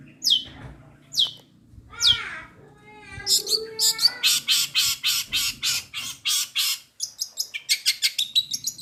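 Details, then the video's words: A long-tailed shrike delivers mimicry-laden song (sparrow fight, kuntilanak, tengkek buto material): three spaced, falling whistles, a softer warbled phrase, then a rapid rattling chatter of harsh notes ending in quick high chips, with a low background hum. "CENDET MATERI GEREJA TARUNG GEREJA PETIR KUNTILANAK GETAR RESTU TENGKEK BUTO"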